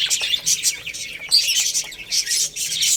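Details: Cute baby chicks feeding on rice give a busy tangle of shrill, short peeps, rising and falling in loudness in quick bursts, with faint tapping from pecking.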